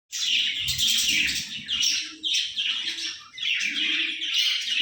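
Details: Breeding budgerigars chatter in a dense stream of high, scratchy chirps and warbles that come in bursts.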